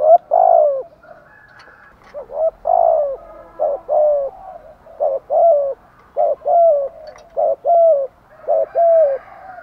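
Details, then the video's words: Spotted dove in full thúc gù and gáy gọi calling: loud, low, hollow coos repeated in a steady stream of about a dozen notes, each a short rise then a falling slur, with brief gaps between. "chim cu gáy Thúc Gù = Gáy Gọi bài vở"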